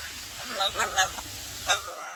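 A young macaw gives a few short, raspy, nasal squawks, three or four bursts within two seconds, over faint background hum.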